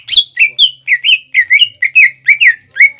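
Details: Greater green leafbird in full song as a training lure for juvenile leafbirds: about a dozen bright, slurred whistles, each dropping then levelling, given in quick succession with slightly varied pitch.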